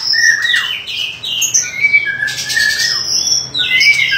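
White-rumped shama pouring out a fast, varied song of clear high whistles, slurred glides and a few harsh rasping notes, recorded close in a small room.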